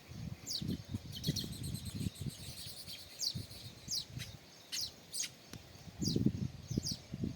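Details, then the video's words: Sparrows at their nests, which they build over many days, giving sharp, high, downward-sweeping chirps in scattered bursts, with low thumping and rustling noises between them. "Sparrows Chirping"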